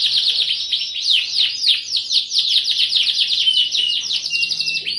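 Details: Canary singing energetically in the chirping 'cuit cuit nembak' style, used as a lure recording to spur other birds; dense, rapid trills of sweeping high notes run without pause, with a few longer steady whistles near the end.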